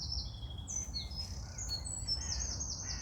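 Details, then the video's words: Birds singing in the morning: high, clear whistled notes, some sliding and some held, overlapping from several singers, with a steady low background hum. "Start your day with birds singing"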